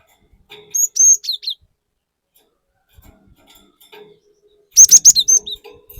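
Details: Cinereous tit, a chatty (gacor) bird used as a lure to provoke others, gives two bursts of sharp whistled notes near the start and end. Each burst has quick rising and falling chirps, with a quiet gap and faint clicks between them.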